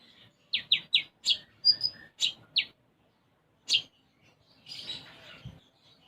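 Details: Brown-throated sunbird (konin) in full song with sparrow-like fill: a quick series of sharp chirps, a brief high whistle, then one lone chirp and a soft rustling burst.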